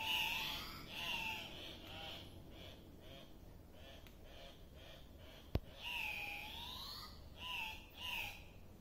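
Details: Andean cock-of-the-rock calling at a lek: a rapid series of nasal, squawking notes, then a pause with fainter notes and one sharp click, followed by a drawn-out upslurred squawk and more short calls.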